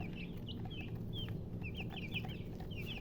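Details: A few clear, separate chicken chirps, high and sliding, come one or two at a time and then cluster near the end. The murgi hen and color chickens are heard over a low background hum.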